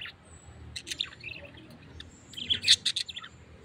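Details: Tame pet parrot producing a few squeaky chirps, then a lively cluster of rapid, sharp tweets and chatter toward the end, in a quiet room.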